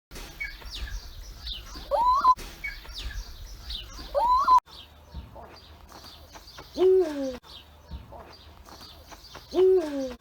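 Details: Eurasian eagle-owl: four hoots about every two and a half seconds, two higher rising-falling then two deeper sliding down, over chirping small birds; male gives deep "buoh", female higher "huhooh".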